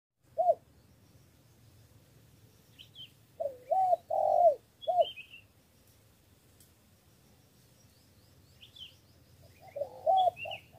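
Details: Spotted dove from Cà Mau, Vietnam, giving a lure call meant to win over wild field doves, in a three-note style: short low cooing phrases, a single note, then a pair and a later burst, with faint high chirps from other birds.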